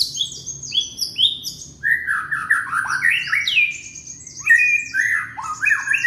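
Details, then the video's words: Singing young white-rumped shama from Indonesia, used as a prompt to get other shamas singing: descending high whistled notes, then a varied chain of sliding whistles and chirps without pause. "Murai batu muda tunjukan pesona,cocok buat pancingan murai macet bunyi"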